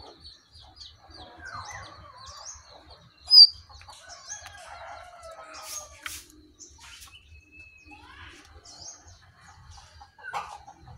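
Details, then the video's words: Sooty-headed bulbuls, wild versus caged, the wild one eventually fleeing; scattered bright chirps, chattering phrases and a few drawn-out whistled notes, one loud sharp burst early, over near silence. "Aksi Jongkangan Liar Vs jongkangan sangkar"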